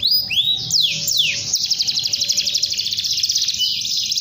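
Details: A canary sings to call a rival: a few looping downward-slurred whistles, then a sustained rapid buzzy trill that ends in a lower steady note.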